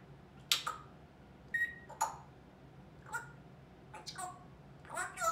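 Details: Talkative pet African grey parrot, a 21-month-old female, gives sharp clicks, a brief whistled note and quick speech-like syllables in short separated bursts indoors, while a person coaxes her to say bye bye.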